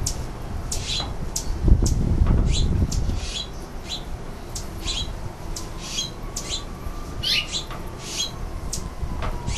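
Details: Feeding house finches at a San Francisco nectar feeder in the summer breeding season give a scattered string of crisp, high chirps at an irregular pace. A faint thin tone and low rumbling noise sit underneath.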